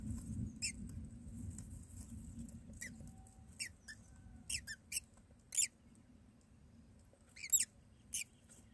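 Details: Myna chicks in a nest being fed by their mother, day two of nest filming; scattered short, harsh squeaky calls come at irregular intervals over steady low background rumble.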